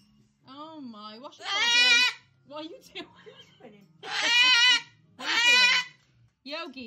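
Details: Pet umbrella cockatoo throwing a tantrum: three loud, harsh, raspy screeches of about half a second each, separated by gaps, with softer lower vocal sounds in between.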